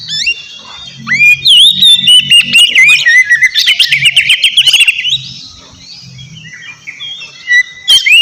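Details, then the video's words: Noisy, energetic kacer (Oriental magpie-robin) song used as a lure to make a rival answer; clear swooping whistles lead into a dense stuttering burst of rapid notes, then a quieter stretch before more sharp whistles, over a faint low hum. "Terapi suara KACER GACOR Ribut buat PANCINGAN KACER Lawan Langsung NYAUT Gacor Auto KONSLET!"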